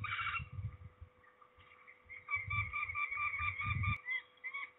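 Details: Peregrine falcon during ringing at Trzebież, Poland, 13 May 2019: a loud harsh call opens, then softer rasping calls and a quick chattering series, mixed with heavy low rumbles of handling.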